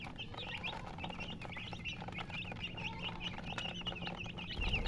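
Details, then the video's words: Baby chickens giving clear, separate high peeps, sharply rising then dropping, several per second, over a low hum, ending with a brief louder rumble. "Baby "Chicks Chirping" Sound"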